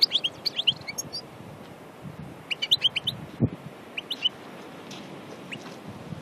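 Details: European goldfinch singing in nature at Aïn Barbar, Annaba, Algeria: clusters of high tinkling, twittering notes in short phrases, separated by pauses, with a brief low knock midway.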